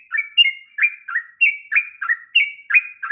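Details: Sooty-headed bulbul singing its long rolling song for training young birds, rapid liquid whistles tumbling between two pitches, each note a brief slurred attack into a held tone, close and loud without background noise.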